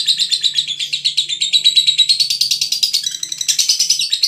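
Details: Lovebird of the Veronica strain from Brebes pouring out a rapid, trilling chatter of high chirps with a faint low hum in the background.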